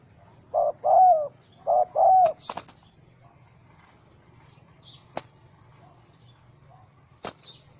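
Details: Trapped wild spotted dove, angry, caught with small rope, 04/07/2017; two pairs of coos, a short note then a longer falling one, followed by sharp clicks and rustling, then quiet with faint high chirps.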